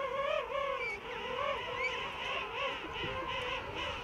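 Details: King penguins calling in a big colony among tussac grass on Salisbury Plain, South Georgia; one clear wavering, trumpet-like call with stacked harmonics rises and falls in pulses over a background of many other penguin voices.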